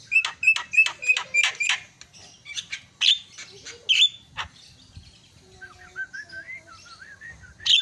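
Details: Myna sound used as a lure to provoke silent mynas into calling: a fast run of sharp, harsh repeated notes, then quieter rising and falling whistled phrases with scattered chirps.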